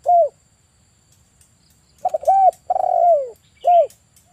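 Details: A short coo, a pause, then a full phrase from a male spotted dove kept as a lure for catching birds: quick double notes, arched coo, long downward trilled coo, and a clipped final coo. Light chirping behind.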